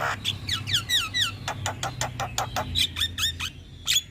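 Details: Caged Javan myna, kept as a steady daytime and nighttime singer for masters and triggers; a fast sequence of descending whistled slurs followed by dense clicks and sharp chirps.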